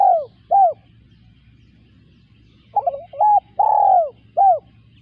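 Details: Spotted dove cooing: two short arched coos end one phrase. After a two-second silence a new phrase begins with stuttered notes, a short coo, a long falling coo and a final arched coo. A low background hum continues throughout.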